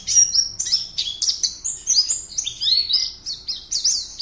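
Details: Oriental white-eye kept in a cage in Pontianak, West Kalimantan, singing as contest entry 52 online. It gives fast high twitters, each note a short sweeping chirp, strung tightly together in an unbroken, lively chatter.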